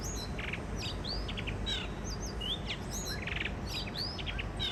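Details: Blue rock thrush, first song of the spring season, from a mated pair visiting a balcony in Shonan, Japan: clear, high whistled slurs and short buzzy notes, rising and falling, in quick scattered phrases over steady low rumbling background noise.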